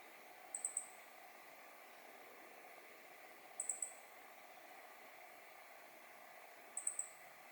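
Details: Meadow bunting recorded by digiscope in mid-November 2020, giving thin, very high clipped calls in tight groups of three, repeated roughly every three seconds against a constant low hiss.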